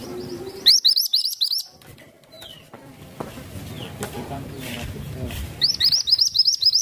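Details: Masteran songbird delivering loud, rapid bursts of high, sharp chirping notes in quick repeated series at the start and end, with a quieter middle stretch of faint calls and rustling room noise.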